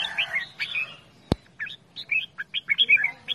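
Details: Pet red-whiskered bulbul calling playfully, a jumble of quick chirps and warbled notes over low background hum, broken by a single sharp click.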